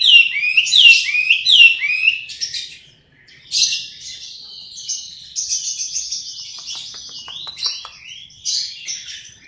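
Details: Hwamei singing with loud, rapid looping whistles that soon break into a buzzy, trilled stretch, then return to bright varied notes with brief pauses between phrases.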